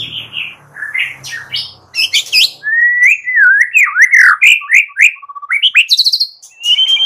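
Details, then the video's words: Captive white-rumped shama in Indonesia, morning lure recording meant to make shamas sing: rich varied song of whistled notes, rising and falling slurs and rapid repeated trills, with some harsh buzzy phrases early on. "PANCINGAN MURAI PAGI HARI GACOR FULL KRETEK"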